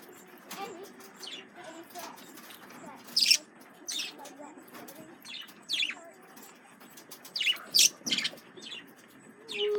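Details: Male budgerigars (parakeets) kept as pets react to a lemon cucumber with irregular bursts of scratchy chirps and short buzzy warbled notes. Several sharp, louder calls stand out near the middle and the end, over a faint low background hum.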